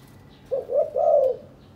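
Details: Captive spotted dove, courting its mate while the pair builds a nest; a single gentle coo phrase, two short notes leading into a long, slightly descending note.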